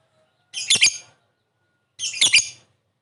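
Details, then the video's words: Caged lovebird calling to draw a quick reply, two short harsh chirping bursts about a second and a half apart, bright and high, with silence between. "Suara burung Lovebird memanggil di sertai ngetik ngekek pancingan labet cepat respon"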